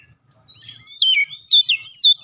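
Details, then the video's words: Oriental magpie-robin (kacer) singing after being provoked, a caged bird in an aggressive challenge: brief faint whistle, then loud descending whistled slurs and sharp chirps repeated in quick bursts, high and clear over near silence. "sekali pancing Kacer lawan langsung gertak naik emosi bongkar isian"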